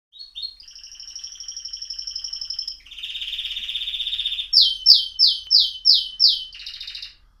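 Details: Pet canary song: a clear, loud whistled phrase held steady, then a rapid rolling trill, then a series of about seven sharp descending swept notes repeated quickly, and a final buzzy trill, with no other sounds.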